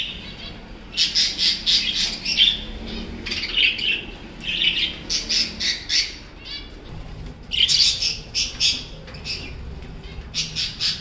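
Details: Caged cockatiels at home, where the female has just hatched a chick; harsh, scratchy squawks come in bursty clusters of several notes, separated by short pauses, with faint room noise beneath.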